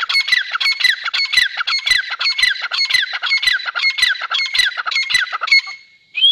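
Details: A pair of grey francolins calling: shrill, high, grating notes repeated rapidly and rhythmically in a continuous run, several per second, stopping near the end with a rising squeak.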